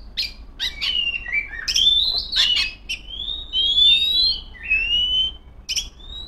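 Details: Female Oriental magpie-robin singing to call rivals: clear whistled notes and slurred rising phrases mixed with sharp chips, delivered in loud bursts with brief pauses.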